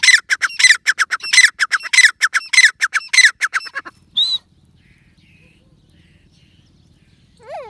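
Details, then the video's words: Grey francolin calling: a quick series of harsh, buzzy bursts repeated under half a second apart for about four seconds, then a single note and near silence with faint low hum. "Dakni teetar ki awaz | bhory teetar ki awaz | Gary francolin birds | teetar sounds"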